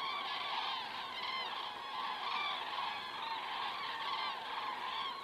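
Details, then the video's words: Flock of common cranes passing overhead at 19:10 on 19 September 2017 in Estonia, recorded by a crane camera; steady, dense chorus of many trumpeting voices throughout, with brief clearer notes poking above the mass. "cranes flying over"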